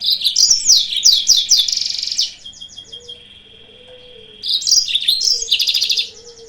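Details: Yellow-fronted canary lure song to provoke rival birds. A long, loud stretch of rapid, high, jumbled chirps and trills gives way to a steady buzzy trill, then another loud twittering burst.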